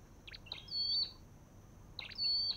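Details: Olive-backed tailorbird (Orthotomus sepium): two bursts, each of quick high chips followed by a long, level, piercing whistle. The second burst comes about one and a half seconds after the first, over a quiet background.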